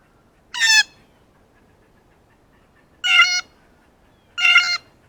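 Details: Close blue jay, thrilled at seeing a ripe banana for the first time, gives three loud, raspy, harmonic jeering calls at irregular intervals over five seconds against quiet background hiss.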